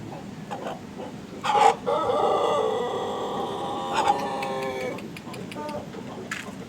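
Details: A young Pelung rooster that is just learning to crow gives a rough, unsteady crow, a long harmonic note sagging after a sharp start, with a second shorter attempt; background noise throughout.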